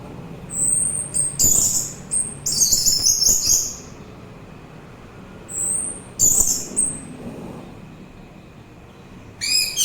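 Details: Orange-headed thrush singing, offered as soothing therapy and as a lure for other birds: high, thin whistled notes followed by bursts of rich, rapid, scratchy phrases, with quiet pauses between them and a faint low background hum.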